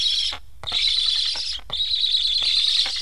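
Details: Hungry Black stork nestlings in Estonia with transmitters beg after parents fly off unfed. Three hoarse, hiss-like wheezes, the later ones longer, separated by brief silences, with a few soft clicks.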